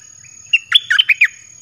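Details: Caged red-whiskered bulbul giving one short dok taeng phrase to attract wild birds. Six rapid, bubbling whistles rise and dip within about three-quarters of a second, with a faint constant high ringing behind.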